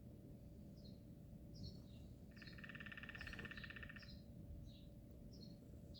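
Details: A woodpecker on a tree, heard loudly every morning, drums one rapid, even roll of taps lasting under two seconds, while short high chirps from small birds and a steady low rumble run throughout.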